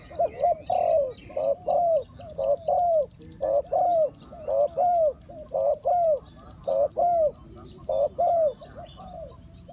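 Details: Spotted doves in a trapping setup, with a decoy calling in wild birds. Strong, regular two-part coos, a short note then a drawn-out falling croo, repeat roughly every second throughout, over faint background chirping.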